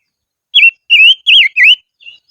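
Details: Silver-eared mesia used as a decoy in the highlands sings four clear, wavy whistled notes in a fast run, ending with a soft, quieter trailing note.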